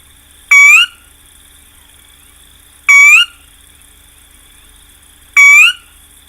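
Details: Sora call as used for playback in marsh bird surveys: three clear, rising whistles, each about half a second long and roughly two and a half seconds apart, over a faint steady electronic hum.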